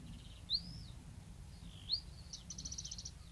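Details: Bluethroat recorded at Woumen in 2018, with sharp rising whistles and a long slurred note, then a fast buzzy rattle of repeated notes, over constant low background rumble.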